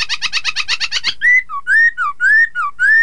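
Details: Chinese hwamei singing to provoke rivals into answering: a fast series of about eight harsh pulses, then clear whistled phrases alternating a rising slur with a lower dropping note, repeated steadily.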